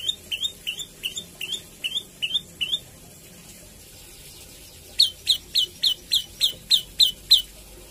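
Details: Javan tailorbird singing song variations and rapid bursts; a run of about ten quick rising chirps, a pause, then a louder series of ten sharp, more downward notes, each about a third of a second apart.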